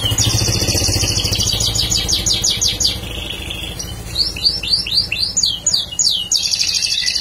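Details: Bar-winged prinia singing a rapid string of high chirps followed by sweeping upward notes and a fast trill, with a low motor-like rumble in the background.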